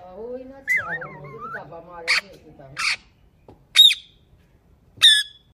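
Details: Pet rose-ringed (ringneck) parakeet talking: a warbling, speech-like phrase with wavering tones, then four sharp, harsh squawks spaced about a second apart.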